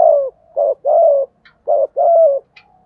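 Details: Decoy spotted dove cooing to make wild doves answer: a steady run of five low, hollow coos, alternating short and longer notes, with a couple of faint higher chirps in the background.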